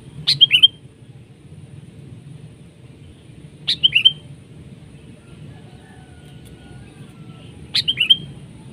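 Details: Sooty-headed bulbul battling a decoy bird while being trapped; three matching calls, each a quick downward sweep into a brief bright whistle, repeated roughly every four seconds over quiet background.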